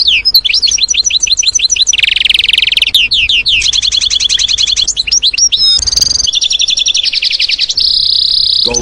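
A goldfinch sings a fast, liquid twittering song of high tinkling notes mixed with brief buzzy trills, running almost without pause.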